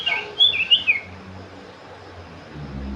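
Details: Sooty-headed bulbul delivering one bright warbled phrase of three or four liquid whistled notes, followed by quiet hiss and a low rumble toward the end.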